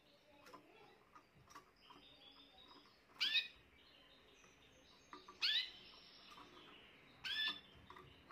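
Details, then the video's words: Young Spanish Timbrado canary of this year, recorded 14 June 2023, singing in short bursts: three loud, bright, rising-and-falling phrases about two seconds apart, with soft clicks and quiet notes between them. "chant timbrado jeune de cette année"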